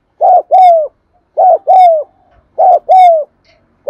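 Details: Cooing of a spotted dove, 'cu thúc gù' style, meant to get caged birds that stay quiet to start cooing: soft hollow double coos, brief then drawn-out and sliding down, three pairs spaced evenly with silence between.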